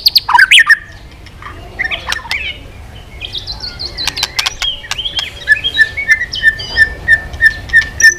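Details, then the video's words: White-rumped shama, provoked into strong song while flicking its tail. Opening swoops and quieter scattered notes are followed by a steady string of short whistled notes repeated roughly every third of a second. Light background noise. "Chòe Lửa kéo dây yến đảo giọng đập đuôi liên tục. kích Chòe Lửa hót căng"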